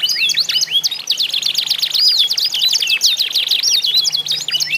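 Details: Song-trained isian canaries contesting in song, played to stir other canaries into singing; smooth whistled upslurs open into rapid chopped downstrokes, with a faint low hum underneath.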